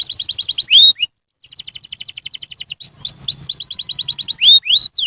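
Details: Canary singing to prompt other canaries: rapid high trills, a sharp whistled swoop, a short pause, then rolling repeated notes and rising slurred whistles.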